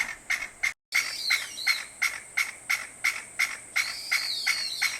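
Chinese bamboo partridge giving loud, harsh, shrill notes, about three per second in a steady series, over a faint constant hiss.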